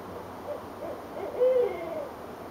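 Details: Winter calling between owls in Richmond, Virginia, January 2012; a few faint hoots build to one loud, steady, hollow hoot lasting a quarter second, then softer trailing notes, against a quiet low background hum.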